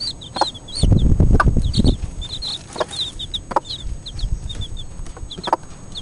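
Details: Several four-day-old Cuckoo Marans chicks peep in shrill, brief, repeated notes, sometimes in quick clusters; a loud low rumbling burst of movement noise comes early, then quieter rustling continues.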